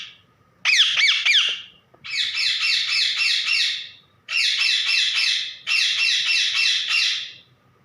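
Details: Parrot kept at home calling out for its owner: a few sharp rising squeals, then long stretches of fast buzzy screeching chatter broken by brief pauses.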